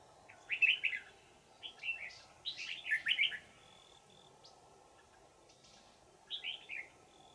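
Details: Old wild red-whiskered bulbul, trapping with a decoy, Vietnam, 20 December 2018; cheerful warbled phrases of downslurred whistles in several groups, a pause, then one more phrase, over a low hum.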